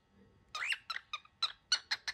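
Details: A very angry baby cockatiel gives a quick run of short, harsh, scratchy squawks, about seven notes in under two seconds.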